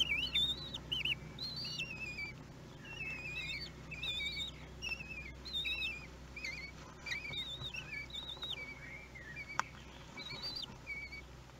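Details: Common kestrel chicks aged one week at feeding time in a nest at Théding, France, 31 May 2020: thin, high wavering squeaks in loose series, rising and falling, over faint steady hum, with one sharp click.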